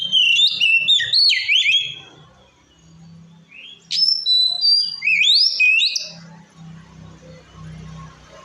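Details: Provoking song of a white-rumped shama aimed at other shamas: varied swooping whistles in two bursts, with a low background hum and hiss filling the quieter ending.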